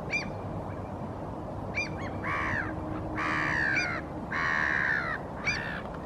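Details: Hooded crow (Corvus corone cornix) foraging along the shoreline in Helsinki, Finland, in April 2023, also drinking water; three harsh, drawn-out caws, with shorter higher calls from other birds between them over steady background noise.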